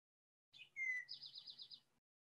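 Eastern Towhee song: a short high note, a clear falling whistle, then a quick buzzy trill, the familiar 'drink your tea' pattern, over a faint low hum.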